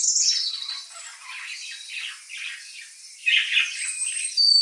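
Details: Pet budgerigars hearing foreign bird twittering give scratchy, squawking chatter with a loud whistled burst at the opening and a louder outburst near the end.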